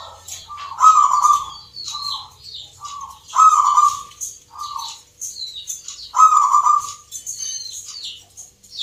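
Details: Zebra dove song from a Yogyakarta, Indonesia perkutut singing competition, Nglagu Ngepat Mentaraman rhythm: loud trilled coos roughly every two and a half seconds separated by shorter soft coos, accompanied by busy high chirping and whistling of other birds.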